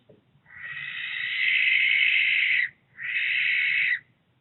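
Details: Two barn owls house hunting in Berkshire on 16 September 2021: a long harsh hissing screech lasting over two seconds, then a shorter second screech after a brief pause, over a quiet low background rumble.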